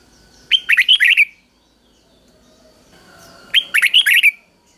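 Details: Caged Red-whiskered bulbul giving a simple three-syllable doubled song for training chicks. Two identical lively phrases three seconds apart, each a rapid string of about six warbled, slurred notes, with near silence between them.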